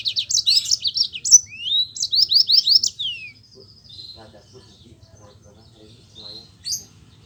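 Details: Yellow-fronted canary in energetic rolling song, a lure for reluctant canaries: quick high trilled phrases and a series of downward-sweeping notes for three seconds, then sparse soft chips and a last sharp note.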